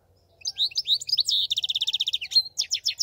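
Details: European goldfinch singing: bright tinkling twitters, then a fast run of repeated high buzzy notes and more liquid chirps, clear against a quiet background.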